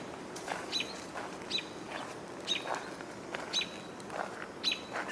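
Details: An American robin gives short, sharp alarm notes tipped with a thin high whistle about once a second over soft hiss and faint chirping on 25 June 2022, calling an alert possibly because of a nearby hawk.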